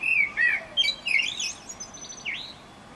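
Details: Blackbird in Utrecht, 9 June 2014, giving a rich run of warbled, looping whistles followed by thin high twittering notes and a final rising-falling whistle, quiet background.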